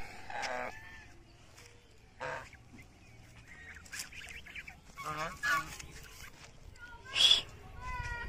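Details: Greylag geese walking in a field in Bangladesh; scattered harsh, nasal honks with stacked harmonics, single or in short bursts a few seconds apart, the loudest near the end, over a low steady background hum.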